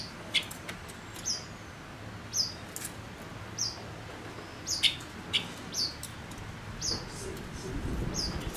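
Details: Male Gouldian finch decoy gives short, high, downslurred chirps roughly every second, each with a faint lower note, over a soft background rumble.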